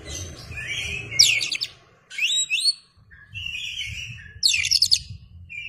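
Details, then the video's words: {'text': 'Oriental magpie-robin singing eagerly, tail open, as a lure for other birds: sweet whistled phrases broken by rapid cascades of sharp descending notes, separated by short silences, with a low background hum.'} "KACER gacor ngeplay buka ekor"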